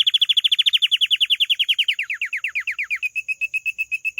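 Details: Caged canary trilling, with rapid, even downward-sweeping whistles that slowly drop in pitch, then a switch to a level chain of short, bright pips repeated several times per second.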